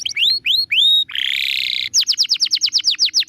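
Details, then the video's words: Canary song recorded as a training master for songbirds: three rising-falling whistled notes, a harsh buzzy trill, then a quick series of about a dozen sharp descending chips. "MASTERAN KENARI SANGAT BAGUS UNTUK BURUNG ANDA."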